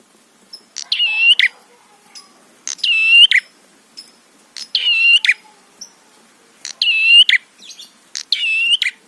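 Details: Prinia song used as a lure to provoke other prinias into singing: five buzzy, harmonic-rich phrases with a bent note near the middle, each about half a second long and repeated roughly every 1.8 seconds against a quiet background.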